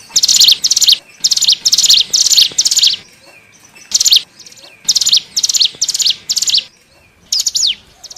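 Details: Lure calls of hill prinia (cigun, ciblek gunung) for drawing in wild birds: loud clusters of rapid, high, rattling notes, roughly two bursts a second, broken by quiet gaps, ending with a couple of sharp descending chips.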